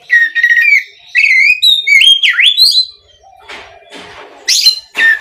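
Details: Oriental magpie-robin singing as a lure for other magpie-robins, loud sweet whistled notes that slide and dip, a swooping down-up whistle, then scratchy rasping bursts and a final high chip.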